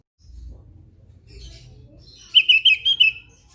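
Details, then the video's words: Javan grey-throated white-eye song over a faint low rumble: soft background chatter, then a burst of four or five bright, rapid chirped notes at a steady high pitch, briefly run together. "SUARA NYENTRIK BURUNG OPIOR JAWA GACOR"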